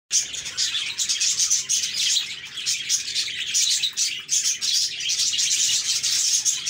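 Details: Budgies chirping in a group, dense high chattering and warbling with rapid overlapping twitters and short tweets throughout, no pauses, steady flock chorus.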